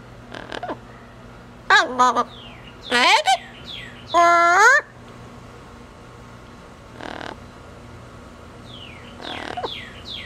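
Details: Caged pet female double yellow-headed amazon on an outing, speaking a few words: several loud nasal, harmonic word-like calls in a cluster, then softer voices and faint whistles over a steady indoor hum.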